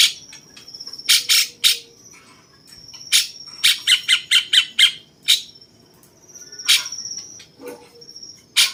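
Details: Cucak cungkok bulbul, 'rasa jenggot' style, a master voice for training contest birds: scattered sharp chips and a brisk volley of five or six rasping notes, separated by short quiet gaps, with a faint high whine.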